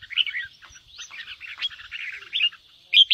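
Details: Red-whiskered bulbul delivering dense ché-style chatter to stimulate young birds: a rapid, continuous run of buzzy, jumbled notes, ending in one loud sharp note.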